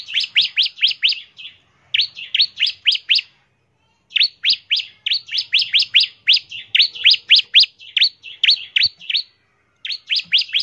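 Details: Bar-winged prinia singing ngebren as a lure for prinias: quick down-slurred whistled notes, about four per second, in bursts separated by short gaps.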